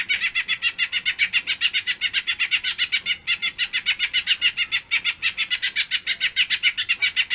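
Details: Long, vigorous greater green leafbird song, recorded as a lure to get other leafbirds singing: dense, rapid, evenly paced chirping notes, bright and mid-high, repeated about three to four times a second without a break.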